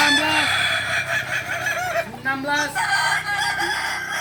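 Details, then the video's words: Balenggek roosters at a crowing contest practice in Ampang Kualo, Solok city; continuous loud overlapping crows with wavering, repeated syllables fill the clip, people's voices beneath. "Latberan ayam kukuak balenggek"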